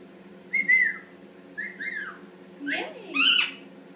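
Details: Eight-month-old pet Indian ringneck parakeet, male, practicing how to talk in the shower: level whistled notes, a pair of falling whistles and a rising squawky call against a low continuous hum.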